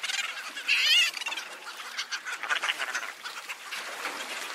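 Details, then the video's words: Cape petrel calls: a loud, buzzy squeal with a short wavering whistle at the start, then a run of quick, rough cackling pulses that fade into a steady background chatter. "Cape petrel (Daption capense) sound - call and song"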